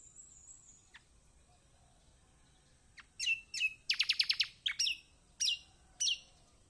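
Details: Lemon-bellied white-eye (kecial kombok), a lure recording meant to make a silent bird sing: a thin high note, then quick bursts of sharp descending chirps and short rapid twittering phrases with brief pauses.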